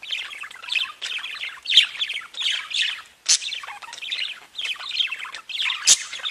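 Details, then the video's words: Singing budgerigars fill the air with a steady twittering warble, punctuated by a few loud sharp chirps that stand out above the chatter. "Веселое пение волнистых попугайчиков / Funny singing of wavy parrots"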